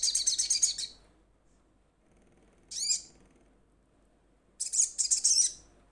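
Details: Young sogon starting to sing, calling to companions: bursts of rapid, high, sharp chirps, then a single quick rising-falling note, then another fast chattering burst; no other sounds.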